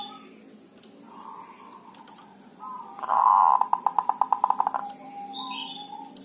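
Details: Javanese zebra dove lure calls: soft low coos, then a loud rolling note breaking into a rapid train of short staccato tut pulses for about a second and a half, with faint chirps of other birds around.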